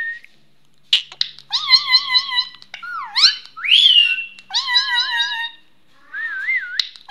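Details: A pet talking rose-ringed (Indian ringneck) parakeet gives a string of nasal, harmonic, wavering phrases and rising sweeps, some almost meow-like, in bursts with quiet gaps between.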